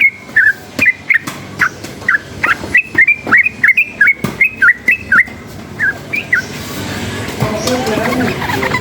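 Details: A sooty-headed bulbul, excited by nearby noise, gives a string of crisp, bouncing whistled notes, each quick and slurred, repeated steadily for about six seconds before a rising hiss of noise takes over.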